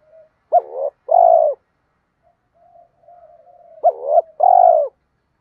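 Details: Training coos of spotted doves, male and female, meant to push reluctant caged birds to answer. Two phrases, each a quick rising note followed by a full, even coo, with a faint low murmur in the gap.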